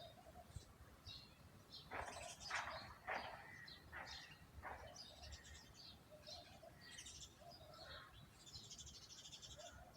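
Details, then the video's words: Garden birdsong among trees and plants, with a mix of quick sharp chips, short sweeping notes and high twitters from several birds, uneven in rhythm. "chirping sound of 🐦 Bird's"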